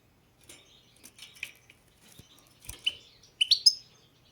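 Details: Goldfinch of the subspecies balcanica with scattered, softer chirps and twitters building to a few louder, sharp tinkling notes near the end, alongside faint clicks and knocks.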